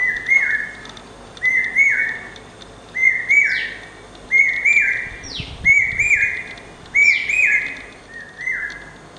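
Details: Male Common hawk-cuckoo (brain fever bird) singing incessantly, shrill whistled phrases of two or three notes repeated every second or two; another bird, possibly a replying female, adds high, downslurred notes.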